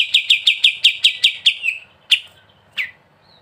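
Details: Prolific sooty-headed bulbul in ngebren style, recorded as a tutor track: a short rattle of about nine quick repeated notes fading out, followed by two isolated sharp chirps.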